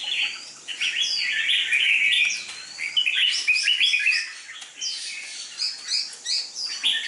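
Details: Competition red-whiskered bulbul ('chào mào mộc đỏ'), a dark-bibbed bird with a fierce fighting temperament, being conditioned for contests. It delivers dense, chattering, warbled phrases of quick whistled notes, loud at first and then in shorter bursts.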